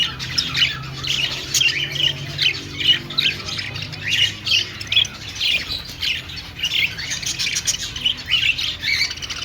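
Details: Budgerigar chirping while singing and dancing, with bursts of squeaky, twittering warble that rise and fall roughly every half second to a second. A steady low hum runs underneath.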